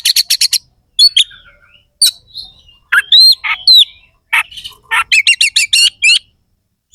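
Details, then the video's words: Oriental magpie-robin (kacer), a highly active bird in full song with coarse, sharp phrases, used to provoke rival birds before contests: rapid buzzy note bursts, looping whistles, short pauses, then a fast run of repeated harsh notes. "Suara kacer gacor NEMBAK ISIAN KASAR/Bikin semua KACER jadi EMOSI"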